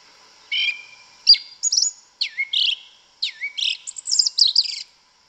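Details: Black sabiá, the yellow-legged thrush, singing in the forest: buzzy notes and deep downward swooping whistles, ending in a rapid jumble of high twittering notes.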